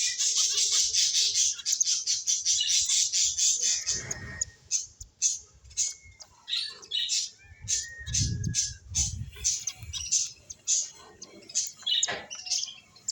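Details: Finches playing, giving a dense stream of high, rapid chirps, about two a second, that blur into a continuous twittering chatter with brief softer gaps later on.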